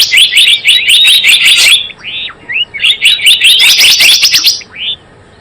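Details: Java sparrow calling, used as a lure for trapping and as tutor material: two long bursts of quick, buzzy chirps with a few arched and rising whistled notes between them, ending in quiet.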